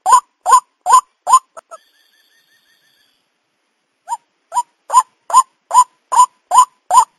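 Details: White-breasted waterhen call used as a lure for trapping the birds: short, harsh, nasal notes repeated about twice a second. The run breaks off for about two seconds with a few faint thin tones, then steadily resumes.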